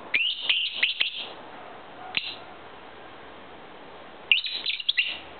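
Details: Two-year-old male pet lovebird singing to its owner indoors: thin, high chirps and squeaks in rapid clusters at the start, a brief burst near the middle, and another busy cluster at the end, separated by quiet low hum.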